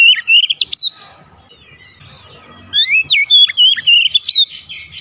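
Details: Oriental magpie-robin song played as therapy to prompt a lazy singer into full voice: rapid, loud whistled notes and sharp chirps in two dense bursts, with a quiet gap between them.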